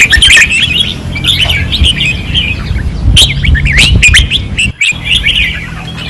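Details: Red-whiskered bulbuls singing fiercely on a training perch, Pattani: busy overlapping bursts of bright, chattering whistled phrases with quick rising and falling notes, nearly continuous, over a steady low engine-like hum.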